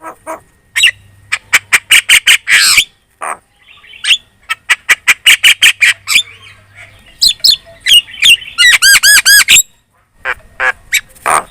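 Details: Javan myna lure song to make other birds respond: rapid runs of harsh squawking notes, a buzzy rolling trill of repeated rising whistles, and brief pauses between bursts.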